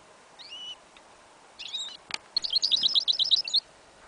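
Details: A goldfinch × yellow isabel canary hybrid, recorded outdoors in a field in winter on 11.01.2015, sings high, tinkling twitters, then a quick run of about ten sweet chirped notes, with one sharp click midway. The song is incomplete; it sings more varied at home.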